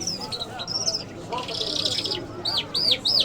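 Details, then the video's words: Iranian lark, the jal, of the Mashhadi type. High thin whistles and a scratchy burst are followed by three loud, arching, repeated notes at the end, over a soft murmur. "Jal Birds Iranians Lark Sounds | صدای طرقه، مشهدي مست"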